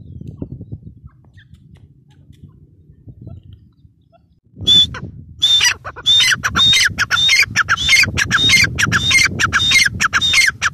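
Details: Female grey francolin calling: after a quiet start, a loud, shrill run of harsh ringing notes with a whistled edge, repeated rapidly and rhythmically, over a low rustling background.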